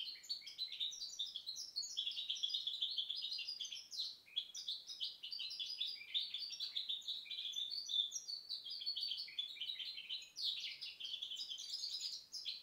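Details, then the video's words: Sustained, exuberant song of a goldfinch hybrid hatched in 2010, rapid high-pitched twittering with rattles and buzzy notes rising and falling in long, unbroken phrases. "Mixto jilguero pio 2010"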